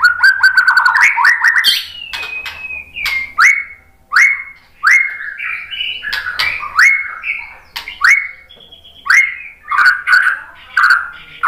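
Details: Murai batu, the white-rumped shama, sings a lure song meant to draw replies: a fast chattering opening, then a long string of separate upslurred whistles, each a bright rising note, with brief pauses and some richer warbled phrases.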